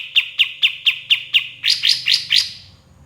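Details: White-shouldered triller used to train songbirds: seven evenly spaced sharp notes, then four louder, buzzier rising notes, over a faint low hum.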